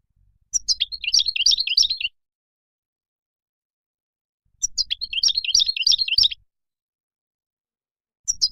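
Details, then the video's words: Singing Moroccan goldfinch: two separate bursts of rapid, tinkling twitter about one and a half seconds long, separated by silence, with a third phrase just starting. "تغريد مقنين مغربي"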